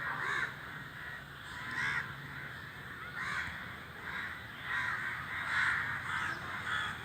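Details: Crows calling together while flying. Loud, rasping caws come in bursts, several close together, with short quieter pauses between the bursts.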